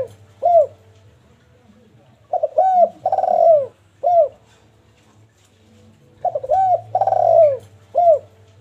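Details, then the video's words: Zebra dove cooing song used to stimulate breeding readiness: phrases of short arched coos and a rolling, burry coo, each phrase separated by a few seconds of quiet, with a faint low hum throughout. "derkuku full gacor suara rapat pedas ampuh, pendongkrak burung agar cepat birahi langsung respon"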